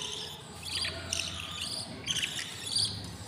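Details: Hungry budgerigar chicks, six of them, begging in the nest at day 20 after hatching; harsh raspy noisy bursts in short groups, fairly soft and uneven, with a faint low hum underneath.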